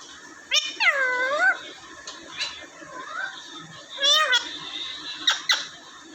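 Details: Indoor pet Alexandrine (Raw) parakeet in Vehari, Punjab, Pakistan. It makes two bursts of curved, harmonic, speech-like squawking notes about three seconds apart, with short clicks and soft human talk in the background.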